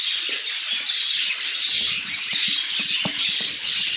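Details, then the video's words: Pet budgerigar chirps form a dense, bright chatter of squeaky high notes, over soft low tapping and knocking sounds. "Budgie Chirps That’ll Make Your Day"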